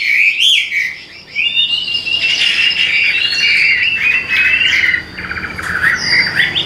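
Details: Captive Hwamei delivering a dense, bubbling warble of mixed whistles and slurs. A brief quieter dip comes near the start, then a long unbroken stretch of fast, tumbling song.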